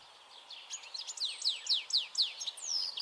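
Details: European goldfinch recorded 22 May 2021: a run of sharp descending chirps repeated about twice per second, ending in a thin rising whistle, over faint outdoor hiss.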